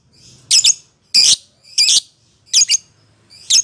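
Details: Lovebird chatter used as bait to provoke caged birds into ngekek: dense, harsh, screeching squawks in quick bursts, about five in under four seconds.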